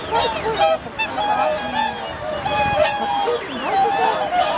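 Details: Swan flock wintering at Lake Hyoko, Japan, January 2022. Clear, drawn-out bugling notes stand out from a murmuring chorus. The loud calls come irregularly, roughly fifty per minute.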